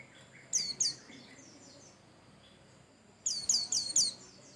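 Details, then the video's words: Singing white-eye, a song meant to spur other birds into song: a short pair of high, shrill chirps, a pause, then a rapid run of four bright, piercing twittered notes over a faint low hum. "Pancingan Burung pleci"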